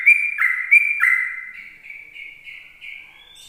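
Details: Morning ropel song of a sooty-headed bulbul, sung to lure other bulbuls: a few loud, clipped, downslurred whistles, then a softer run of quick, level notes.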